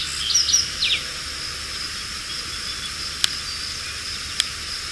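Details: A male lark sparrow (Chondestes grammacus) at Ives Road Fen, Raisin Township, Lenawee County, Michigan, on 25 June 2022 gives a quick burst of high, thin chirps, over a steady insect drone and two sharp clicks.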